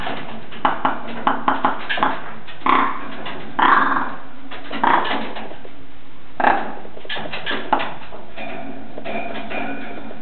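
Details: Captive male Svalbard rock ptarmigan in a Nagano zoo enclosure, filmed on 6 April 2010. A few dry clicks open, followed by hoarse, grating croaks in separate bursts over a steady low background hum.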